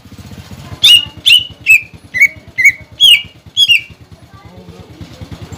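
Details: ['Cucak ijo, the greater green leafbird, giving a lure song to make young and newly caught birds sing. Seven emphatic downslurred whistles follow one another at half-second intervals against a steady low engine-like rumble.']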